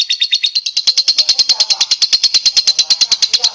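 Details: Singing lovebird, captured as a prompting sound for other birds: an unbroken, rapid trill of harsh, high-pitched pulses around eight per second, with faint murmuring voices underneath midway.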